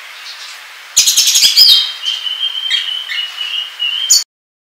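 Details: Oriental magpie-robin (kacer) in 'ngobra' song style, used as a trapping lure and tutor song: a rapid buzzy rattle of clicks breaks in after faint quiet, then long level whistled notes with short chirps, ending abruptly.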